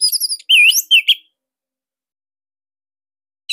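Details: Orange-headed thrush (Anis Merah Bali) singing for cage-bird training; a short flurry of high whistled and slurred notes in the first second, then silence with a brief note at the end.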